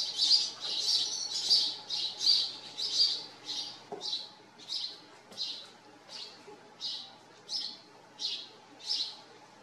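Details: House sparrows living at a farm give a steady series of short, bright chirps, about fourteen spaced roughly every two-thirds of a second, with faint low background hum.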